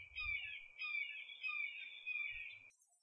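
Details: In late spring at a beaver pond, a Red-shouldered Hawk calls from across the pond, giving four loud, high, slurred kee-ah screams in under three seconds, each dropping slightly in pitch, with faint low thumps in the background.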